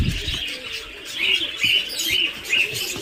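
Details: Muscovy duck chicks on a farm in Kamrup, Assam: high, thin peeping notes repeated roughly every half second over a soft rustling background.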